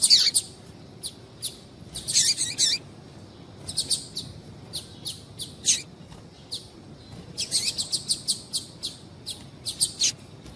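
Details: Female double-collared seedeater calling to excite the male: high buzzy bursts and short chirps at uneven intervals, with a rapid series of thin notes later on.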